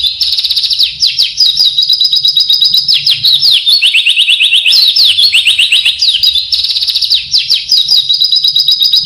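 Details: Vigorous oriental white-eye isian song: a close, intense stream of fast high trilled phrases and quick slurs repeating in overlapping rolls, unbroken throughout.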